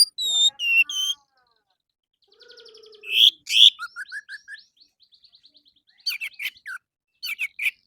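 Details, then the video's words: Morning lure song of an orange-headed thrush meant to prompt caged birds to join in: varied whistles, buzzy trills and rapid rattling notes, mimic-like phrases changing every second or so. "PANCINGAN ANIS MERAH DI PAGI HARI AMPUH BIKIN IKUT BUNYI!!!"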